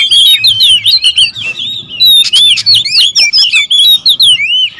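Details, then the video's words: Clamour of several territorial oriental magpie-robins: loud, busy, overlapping whistles and rapid chips pouring out almost without break, pitches darting up and down in quick succession. "KACER RIBUT"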